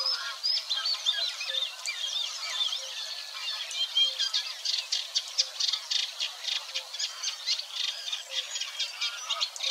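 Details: Singing Eurasian Reed Warbler, recorded at Wetering West in Wetering, Overijssel, on 6 and 7 May 2022. A steady, rhythmic chattering run of harsh repeated notes, burbling on without pause, with light mimicry.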